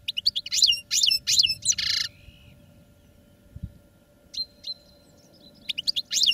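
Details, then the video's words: Caged European goldfinches in training sing bright twittering phrases of rapid high chirps and rising notes, a burst at the start, a quiet gap, then a thin held whistle and more chirps at the end. "Goldfinches Singing in CAGES for TRAINING"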